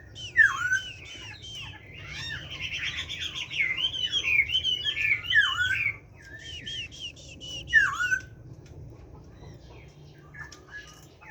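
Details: A kept hwamei sings with a wild forest voice: a burst of dense, jumbled warbling, then a chain of sharp, down-swooping whistled phrases and a short rapid trill, ending in a single loud falling whistle.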